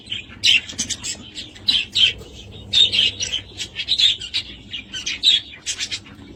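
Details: A budgerigar gives clustered squeaky chirps and short warbled phrases, grouped in bursts about every second, with quiet gaps between.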